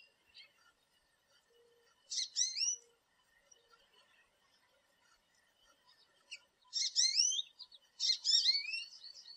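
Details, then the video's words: American goldfinch sitting in a backyard tree, visiting thistle and sunflower feeders, gives three short bursts of high, twittering notes with quick rising and falling slurs over about nine seconds. "American Goldfinch Call, Song And Sounds"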